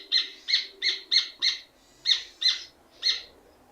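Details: Rufous hornero (Furnarius rufus), song.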